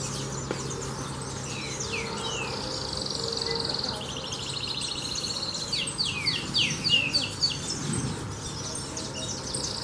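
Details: Canary in full song: rolling high trills held for a second or more, then runs of quick downward-swept notes, delivered without pause over a steady low hum, with faint murmurs in the background.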